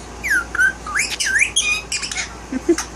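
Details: A pet one-year-old male violet Indian ringneck parakeet chatters in bending whistles and warbled, speech-like syllables. A person speaks softly nearby in a small indoor room with a low background hum.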